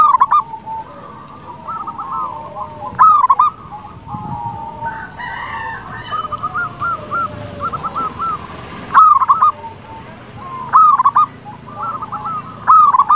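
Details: Local zebra dove in full song, used as a lure to make rival doves answer quickly; loud bubbling, fluttering coos rise and fall in bursts about every two to three seconds over a steady chorus of softer cooing doves.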